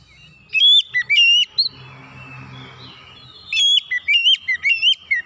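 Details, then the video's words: Oriental magpie-robin song used to lure other birds into singing: a brief run of loud whistles, a quiet pause with low background noise, then a longer string of rapid, wavering, upward-flicking whistled notes. "kicauan Kacer pemikat"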